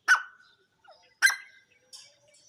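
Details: Grey francolin, local name jungle teetar, uttering two abrupt, harsh, shrill notes a little over a second apart, then a fainter, thinner note at the end.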